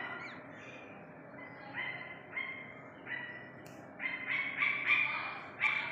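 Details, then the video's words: Calls of an Iranian partridge chick: rasping, nasal notes repeated several times a second, starting softly and growing louder and closer together toward the end over a steady low background hiss. "ایرانی تیتر کے بچے کی اصلی آواز"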